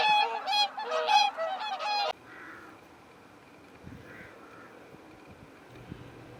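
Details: Mixed flock of Whooper Swans and Greater White-fronted Geese passing through farmland near Hakodate, south Hokkaido, in March, giving loud, nasal, overlapping honks, about five in two seconds, then stopping abruptly, leaving faint wind and distant background noise.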